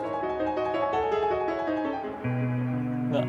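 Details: Piano music plays a short melodic run of notes, shifting to a lower sustained chord partway through, with no animal voices.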